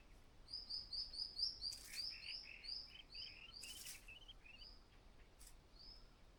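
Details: A White-browed laughingthrush mother calls her only chick out of the nest on fledging day. A fast, even run of high upslurred notes, about six per second, fades gradually, with a few lower notes and two brief crackling bursts.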